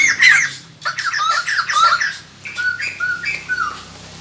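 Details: White-crested laughingthrush decoy song used to lure wild birds: loud mixed phrases of whistles and harsh chattering notes, a burst of squawks then fluting, falling whistled slurs.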